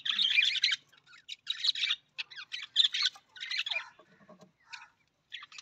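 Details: Budgie chatter from this Australian parrot: rapid buzzy, rasping phrases in bursts of roughly half a second, broken by short gaps, with a few softer clicking notes near the end.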